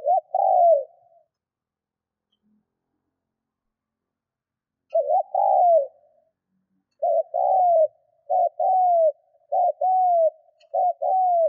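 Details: Spotted dove used as a decoy, cooing 'thúc' style to excite wild doves; after a long pause the low hollow phrases come quicker, short double notes and falling coos strung close together near the end, no other sounds.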